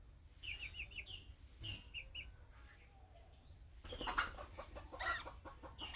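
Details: Budgerigar chicks' calling-type chirps, a sound other budgerigars answer: a quick series of high chirps early, then loud broadband fluttering and scratchy noise in the second half.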